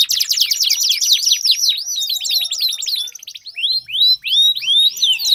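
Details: Canary song used as a lure to prompt a silent canary to sing: a fast run of bright downslurred whistled notes, changing after three seconds to slower, separate rising-and-falling sweeps.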